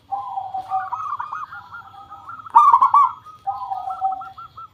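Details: Zebra dove lure song: wavering cooing phrases that run into a loud rapid rolling burst, then resume as buzzy, fluttering coos.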